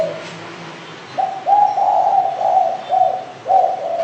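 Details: Spotted dove giving a run of low, soft coos in quick succession, each note slightly falling, about two per second after a quiet start; steady faint background hiss throughout.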